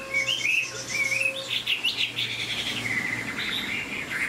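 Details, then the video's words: Caged Chinese Hwamei, said to sing high, giving clear slurred whistles then a run of rich, rising and falling warbles, with a faint steady tone in the background. "Họa mi dáng ngũ trường, hót cao cầu"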